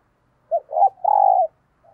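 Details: Decoy spotted dove calling wild doves at dawn, one phrase of three mellow low coos: a brief note, a wavering double note, then a long steady hooted coo, with a faint soft note after.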